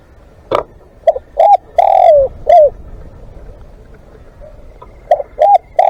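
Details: Spotted dove used for live decoy calling gives a full phrase of two short hoots, a long wavering coo and a final dropping note, followed after a pause by the start of another phrase, with a brief click at the start.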